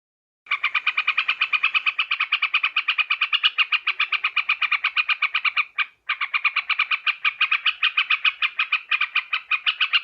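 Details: Sooty-headed bulbul call used as a lure for catching birds: a fast, unbroken stream of harsh, bubbly chattering notes about eight per second, with one brief break near the sixth second, and no other sounds.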